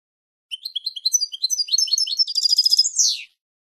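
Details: Goldfinch song phrase meant for tutoring young birds: rapid high tinkling notes that quicken into a dense buzzy trill and end on a harsh descending rasp, no background noise.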